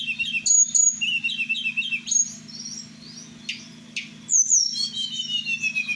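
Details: Blue flycatcher (tledekan) from Merapi, a kept bird, singing at night. It gives quick repeated high notes and clear whistled slurs, then a long falling whistled phrase near the end. A constant low electrical hum sits in the background.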